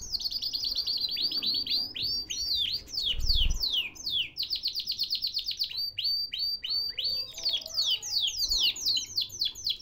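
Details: Caged canary from Baghdad, Iraq, singing loudly and continuously: high, fast rolling trills and rapid repeated sweeping notes that run almost without a break, with a brief low thump partway through.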